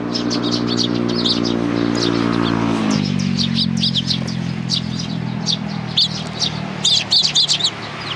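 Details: Sparrows chattering at Tenmangu shrine, 2 May 2019: a continuous stream of quick, high chirps from several birds, louder bursts near the end, with a passing vehicle engine droning and falling in pitch.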